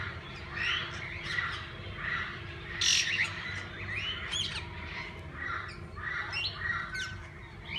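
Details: Mixed parakeets calling inside a walk-in aviary at a parrot zoo: a steady chorus of chattering, mid-pitched chirps from many birds, with one loud shrill squawk near three seconds and a low hum underneath.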